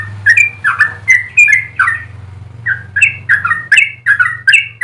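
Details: Yellow-vented bulbul song meant to tutor birds and prompt other bulbuls, with clusters of bubbly whistled notes, a brief pause midway, then a renewed burst, over a steady low droning hum.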